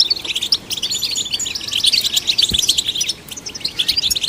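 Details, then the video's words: Rapid, chattering European goldfinch song played to stimulate goldfinches, clusters of sharp tinkling chirps and short trills, with a single soft low thump about halfway through. "Golden Songbird vocal performance to stimulate the goldfinch"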